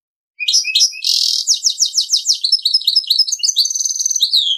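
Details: Servati-style song from a goldfinch-canary mule, the 'Prince royal' variant: after brief silence, sharp chips lead into a fast series of falling notes about eight per second, ending in buzzy high trills.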